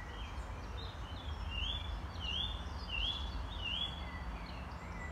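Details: Song thrush heard in a duet with a blackcap in the square de la Butte du Chapeau Rouge (75019): four clear, upslurred whistled notes repeated about every second, with softer chirps around them over low continuous rumble.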